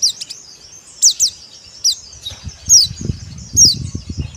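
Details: Pleci (white-eye) giving dakbal-style song: sharp high descending whistled notes, sometimes doubled, spaced about one second apart, with low soft rumbling noise underneath toward the end.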